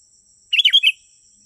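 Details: Lure recording of a sooty-headed bulbul for attracting wild birds: a single brief bubbly phrase of four rapid warbled notes, steady thin whine in the background.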